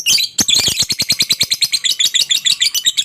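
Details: Lovebird calling to draw a reply from quiet lovebirds: an abrupt start, then steady shrill chatter of rapid pulsed notes, roughly six per second, with a rasping edge.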